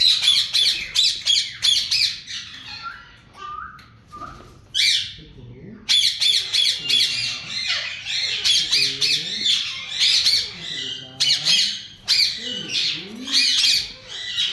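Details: Yellow Indian ringneck parakeets, a breeding pair kept indoors, giving a long run of shrill, grating squawks in rapid bursts. Brief pauses hold softer chattering notes, and harsh calls keep returning throughout.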